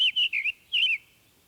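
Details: Summer Tanager song, said to be shorter and softer than a robin's and lacking a scarlet tanager's raspiness, with one or two slightly harsh phrases: a quick run of four or five clear, slurred, robin-like whistled phrases, rising and falling, slightly burry, over a quiet background.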